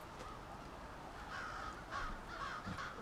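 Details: Overlapping raspy caws from many crows fill the evening air at a nightly roost in a Halifax, Nova Scotia suburb. The calls grow louder toward the end.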